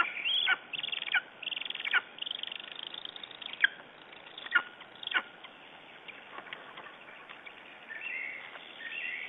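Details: Lesser spotted eagle "talking" in the morning in Estonia, 9 June 2011: sharp, high yelps that drop steeply in pitch, spaced irregularly every second or so, with softer chattering notes between them.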